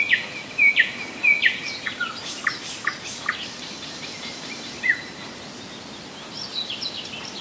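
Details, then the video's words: Nightingale in song at Rassudovo, roughly 40 km from Moscow, in July 2011: a burst of loud, sharp downslurred whistles and chirps, fading to softer scattered notes and distant twitters amid faint background hiss. "Соловьиная песня / Nightingale song"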